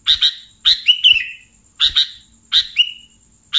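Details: Sooty-headed bulbul call used to attract and catch bulbuls: sharp paired chirps, a couple stretched into a rolling downslurred trill, repeated at uneven intervals about every second.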